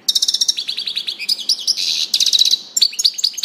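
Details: Song of a European goldfinch, a rapid run of high liquid notes sliding downward, then a harsh buzzy rattle, followed by bright chirps and trills.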